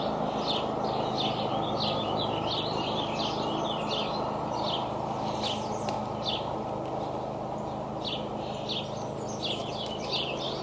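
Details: Three bald eagle eaglets, aged 60 to 64 days, in their nest at Decorah on 30 May 2012, during a harmless fight between nestlings: thin, high chittering squeals in quick irregular bursts over a constant loud hiss.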